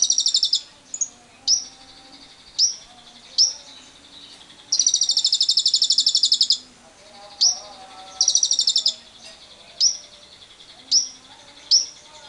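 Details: Lovebird lure trill, the long ngekek meant to set other lovebirds singing, among wild birds: several short sharp chirps, then two bursts of fast buzzy trilling, then more spaced piercing chirps.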